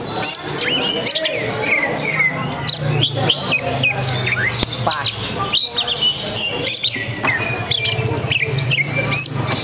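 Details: Greater green leafbird singing at a songbird competition event while spreading its tail, a rich run of varied whistles, rapid slurred notes and sharp upsweeps, with crowd chatter and a steady low hum behind.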